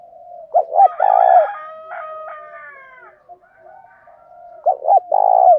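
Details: Decoy spotted dove calling to provoke fighting, with two loud three-part coos of two clipped notes and a long burry note. Between them runs a strained harmonic call from another bird.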